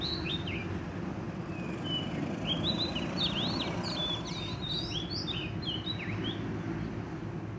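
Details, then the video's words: Oriental magpie-robin from the wild, trapped while singing energetically; bright whistled phrases with quick upward and downward slurs tumble together, backed by a persistent low rumble. "bẫy chích chòe than bổi rừng hót rất sung"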